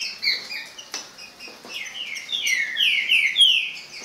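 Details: Green-winged saltator singing: clear whistled notes, with short slurred phrases that sweep downward, quieter at first and then louder and fuller in the second half, with a few soft clicks early on.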